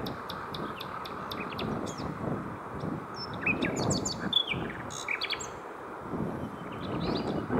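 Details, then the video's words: Three common nightingales singing around 7 pm on a coastal route between Hoek van Holland and Scheveningen, Netherlands, where 23 were heard: varied phrases of sharp chirps, clicks and rising whistles over a low rumble of wind or traffic. "Three Singing Nightingales / Drie zingende Nachtegalen"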